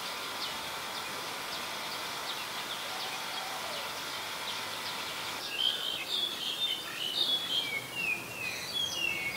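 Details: Black-collared starling recorded in Ubon Ratchathani, Thailand, on 10 November 2021. A steady hiss comes first, then a run of rapid, squeaky, chattering high notes and short whistles in the second half.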